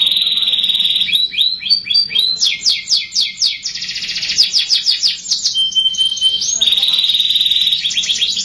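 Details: Canary singing to encourage young canaries to sing: a buzzy rattle, rising whistled slurs, rapid trilled phrases, a flat sustained whistle, then another dry rattle.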